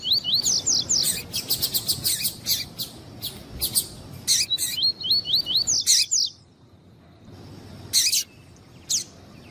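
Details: Double-collared seedeater, male and female calling to warm up a male for tournaments: rapid series of rising slurred whistles, repeated in bursts, mixed with loud dry clicks and harsh broadband notes, then a pause.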